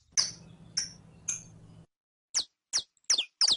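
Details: Saffron finch for teaching a captive bird: three high chirps over hum, silence, then four sharp downslurred notes quickening toward the end.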